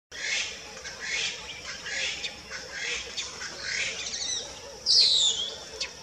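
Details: Northern puffback recorded in Gambia in 2015, giving harsh, raspy high notes about once a second, ending in a louder, sharper downslurred burst.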